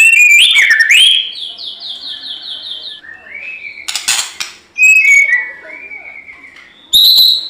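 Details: White-rumped shama singing for a fight: a loud sliding whistle, a rapid run of repeated high notes, descending slurred whistles, a burst of rattling noise, and a closing high phrase.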